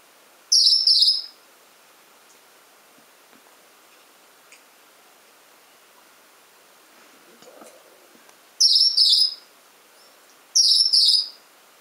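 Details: A pet male Gouldian finch gives three short, very high, thin doubled calls, one at the start and two close together near the end, over near silence; he repeats this sound often, sometimes for over an hour.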